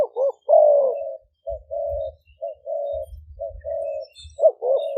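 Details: Two decoy spotted doves, Malay and Phat Phon lines, recorded in Roi Et, Thailand, sometimes calling together. A burst of rough falling coos is followed by several short-long level coo pairs, with low thumping underneath.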